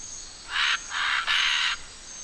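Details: A scarlet macaw in Costa Rican forest, greeting an arriving green iguana unfriendly, gives three loud, harsh, raspy squawks in quick succession, the last one longest, over a quiet background.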